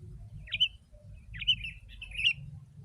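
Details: Sooty-headed bulbul, lively dense song used as a lure for wild birds: three short bubbly, slurred phrases about a second apart, over a low rumbling hum.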